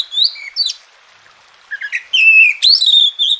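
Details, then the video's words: Oriental magpie-robin singing as therapy audio for quiet birds: scattered high chirps, a second of silence, then a clear falling whistle followed by a steep upsweep and a sustained warbled tone. "Masteran dan Terapi Kacer Malas Bunyi Jadi Gacor"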